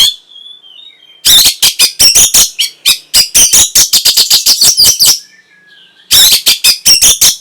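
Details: Orange-headed thrush song meant to trigger breeding arousal and answering song: a rapid run of loud, harsh, evenly spaced strokes, then a pause with soft whistles, then another harsh burst series.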